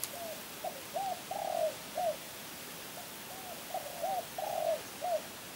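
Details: Spotted dove repeating its phrase twice: soft introductory notes, a long burry rolled coo, then clipped hollow coos, the second phrase closely matching the first, over steady hiss.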